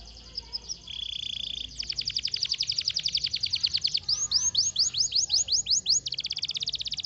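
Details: Canary song: a flat buzzy held note gives way to fast rolling trills, then a run of clear upward-sweeping whistled notes about twice a second, ending in another quick trill; faint low background hum.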